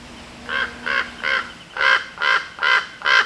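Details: Wild female common raven giving her territorial call on 24 August 2023, defending territory near neighbouring ravens: seven harsh, rasping caws, three then a louder four, spaced about every 0.4 seconds with a brief pause between the sets.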